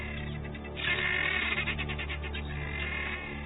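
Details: Helmeted guineafowl in an African flock gives a harsh, rattling alarm call on spotting a leopard, alerting the flock and calling until the leopard leaves, over a low musical drone.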